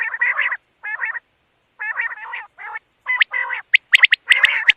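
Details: Quail calling in a series of short, nasal, buzzy bursts of stacked tones, grouped in clusters with brief pauses, rising into sharper, higher notes and quick clicks toward the end.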